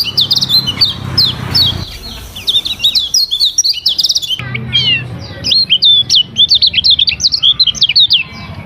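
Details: A lemon-bellied white-eye pours out varied song for training, rapid high chirps and downslurred notes in lively phrases, one brief pause midway, with a faint low hum.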